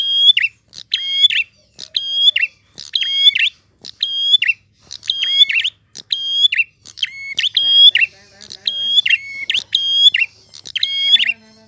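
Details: Clear, persistent prinia song: a fixed phrase of level whistled notes with a dropping chirp at the end, repeated steadily about once a second. A few faint low sounds come in near the end.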